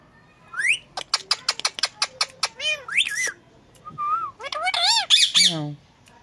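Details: Talking Indian ringneck parakeets kept as pets give a fast series of clicks, then bending meow imitations and harsh squawks, with a brief whistle between.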